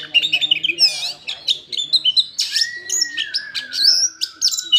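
An Oriental magpie-robin sings a rich, varied run of sweet whistles, quick chirps and harsh notes, with one long, clear whistle held steady near the end.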